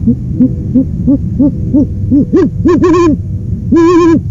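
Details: Owl on a live nest camera, giving a series of short rising-falling hoots about three per second that grow louder and harsher, ending in a longer wavering screechy note.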